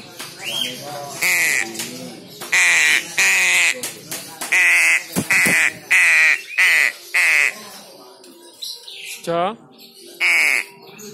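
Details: Crow chick, described as very clever, calls repeatedly: about a dozen loud, harsh, evenly spaced caws roughly every half second, then a pause with a sliding squeal and one final caw.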